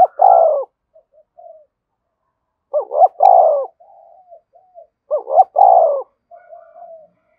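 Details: Spotted dove (Spilopelia chinensis) gives soft, hoarse cooing phrases, each followed by quieter trailing notes; coo.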